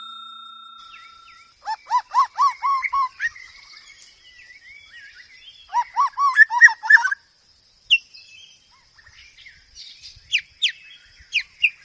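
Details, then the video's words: White-rumped shama singing loudly: a steady electronic-sounding tone at the start, then bursts of rapid rising whistled notes in two phrases separated by pauses, with scattered sharp high chips near the end over a faint constant hiss. "burung murai batu paling gacor masteran keras.. dan ampu.."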